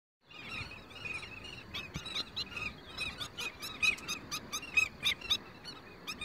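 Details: A flock of African skimmers coming in at sunset to roost on an exposed sandbank on the Chobe River, Botswana, gives sharp, squeaky, overlapping yelping calls, with bursts coming faster toward the end over a faint outdoor hiss.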